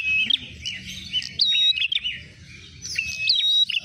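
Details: Trapping lure of the Ashy tailorbird: sharp, high whistled chirps that bend up and down, given in quick uneven clusters with a brief quieter gap before another burst.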